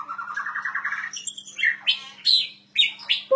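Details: White-rumped shama song opening with a fast rising trill that climbs steadily, then high sharp whistled notes and slurred phrases separated by short pauses, over a low constant hum.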